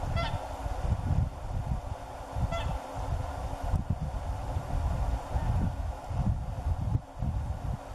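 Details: Whooper swan giving two brief, honking bugle calls rich in overtones, about two seconds apart, over a steady hum and heavy low rumbling noise.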